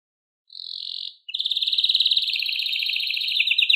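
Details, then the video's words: Canary song, Serinus canaria: a short steady buzzy note, brief pause, then a fast pulsed trill gradually speeding and lowering slightly in pitch. "Canto de pássaros Canários Silvestres"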